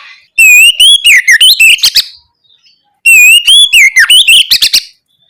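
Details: Two loud oriental magpie-robin song phrases played to spur young birds into responding, each an even whistled note followed by fast swooping whistles and a burst of sharp high chips, about three seconds apart.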